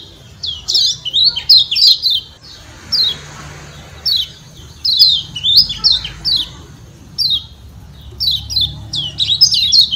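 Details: A captive Lombok yellow white-eye (kecial kuning, Zosterops) gives bursts of high, sharp, chattering chirps in quick clusters, repeated every second or so, over a low background hum.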